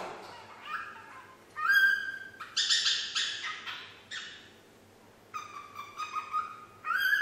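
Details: Young female pet parrot, nine months old, trying to whistle Yankee Doodle; a string of pure whistled notes at shifting pitches, broken by a harsher, breathy burst, with low indoor hum beneath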